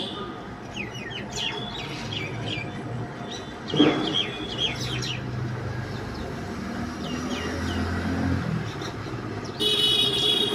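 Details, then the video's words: Mynas fighting in the middle of a street give harsh chattering and squeaky whistled calls in quick irregular bursts over steady traffic rumble, with a loud clatter near the fourth second. "Myna Bird Fight"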